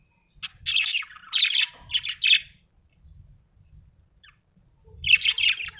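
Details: Cheerful budgerigar chirping and squawking in quick bursts of scratchy high notes, a long chattering phrase, a pause, then another burst, with faint low rumbles beneath.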